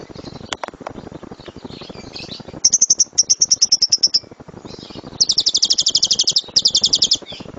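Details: Lovebird master recording for teaching birds loud rapid-fire song: scattered faint sounds, then a quick run of high piercing chirps, a short gap, and two dense fast shrill trills near the end.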